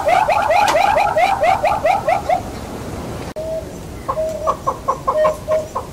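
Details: Southern yellow-billed hornbill in Kruger National Park, South Africa, giving a fast, accelerating run of clucking notes with rising inflections. After a brief pause, a slower series of hollow clucks follows.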